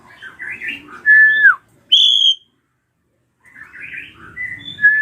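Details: Drongo screams meant to goad young birds into singing: chattering phrases, a clear whistle sliding down at the end, a sharp high ringing note, silence, then more chatter closing on another flat whistle.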